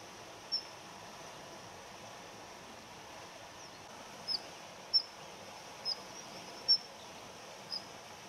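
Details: Daurian redstart, male and female, a tame winter visitor of residential gardens that holds territory in winter. Its ground calls are thin, very high, short whistled notes given singly at irregular intervals of about a second, over steady low background hiss.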